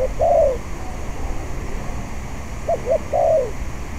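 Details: Spotted dove calling in strong wind during decoy luring: a drawn-out falling coo, a pause, then two short clipped notes and a longer descending croo, with wind hiss underneath.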